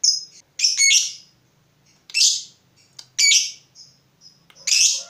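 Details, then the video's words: Fighter lovebird provoked by a rival: harsh, loud screeching bursts about a second long, separated by quieter gaps and a few thin high notes, over a faint low hum. "Terpancing Emosi Begitu Lihat Lawan, Lovebird Fighter ini Langsung Narung"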